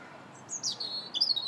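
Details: Robin song in January: a short rapid run of high, thin, twittering warbled notes, clear above faint background hum.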